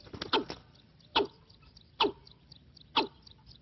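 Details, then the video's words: Decoy Watercock used to lure birds into a trap: a quick cluster of rough notes at the start, then three single hollow, knocking clucks spaced roughly a second apart against a quiet background. "ต่อนกอีลุ้มหมานๆ ขึ้นเป็นโดน"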